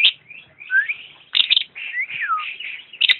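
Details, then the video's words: Lovebird singing a dense, unbroken chatter of high squeaky, buzzy notes mixed with short sliding whistles and sharp clicks, loud and hurried throughout. "kicau burung Lovebird"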